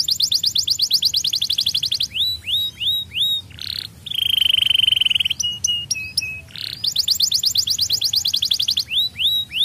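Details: Young canary song made of fast repeated chirping trills, slurred upward whistles, a long steady buzzy trill and short rough notes, returning to rapid rolling trills at the end.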